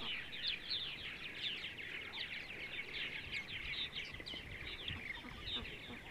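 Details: Purple martins on a sunny Sunday morning in central Ohio, a crowd of birds pouring out bubbly, rasping chirps and short rising warbles in a constant overlapping chorus.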